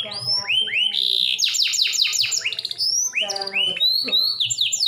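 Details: Canary song to stimulate other canaries: rising whistled upslurs, a burst of rapid falling sweeps, a buzzy phrase, then more looping whistles.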